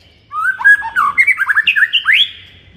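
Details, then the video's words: White-rumped shama morning song, used to stir up a kept shama: a quick run of rich, varied whistled notes, mostly slurred and rising, delivered in a rapid rhythmic burst after a short pause. "MASTERAN MURAI BATU DI PAGI HARI AMPUH UNTUK NAIKKAN EMOSI MURAI BATU ANDA"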